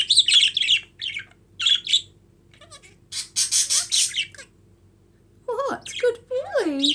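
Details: Pet budgerigars, very hyper and active, chatter in quick, scratchy bursts of high chirps and squawks, with a person talking at the end.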